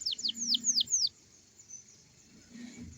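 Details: Young canary in morning song, used to lure young birds into singing: five quick descending whistled slurs in about a second, followed by near silence with faint background hum.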